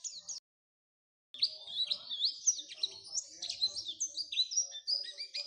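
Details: Lure song of an Oriental white-eye, meant to prompt white-eyes into steady singing: a brief high note, a second of silence, then a rapid run of bright, slurred whistles and chips, high and continuous.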